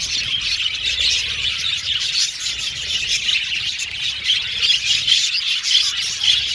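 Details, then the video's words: Many budgerigars in a colony aviary producing continuous overlapping chirps and harsh squeaks, with clearer short whistled notes popping out in the second half. "Budgies Chirping Sound"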